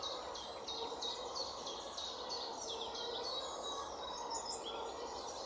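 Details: European pied flycatcher (Ficedula hypoleuca), male and female, giving a run of high, sweet chirping notes in quick succession over a steady background hiss of wind or distant noise.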